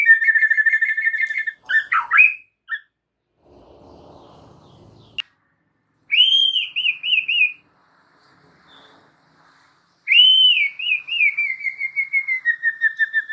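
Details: White-rumped shama song used to train other shamas to reply: clear pure whistled phrases separated by silences, some ending in fluttering tremolos, with a brief low rustling noise between phrases.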